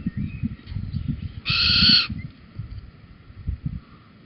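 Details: Little owl at Holten on 4 May 2020 around 21:16, a male bringing a cockchafer before the pair leave together; one loud, drawn-out harsh call of about half a second over low rumbling background noise.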